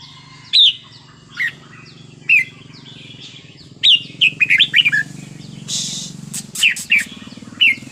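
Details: Red-whiskered bulbul singing in the Thai wild style. Spaced single whistled notes give way to a lively cluster of warbling phrases, a burst of rustling, and further whistles over a steady low drone.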